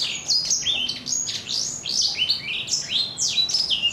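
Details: A four-month-old black-throated canary sings a fast, unbroken twitter of high slurred whistles and chirps, some notes rising and others falling, with a rough yet crisp, crunchy tone.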